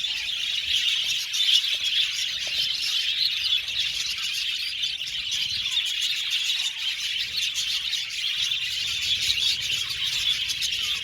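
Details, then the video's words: An aviary colony of budgies keeps up steady, unbroken high-pitched chatter, many overlapping chirps and warbles blending into a constant bright hum for the whole stretch. "Beautiful budgies chirping sound"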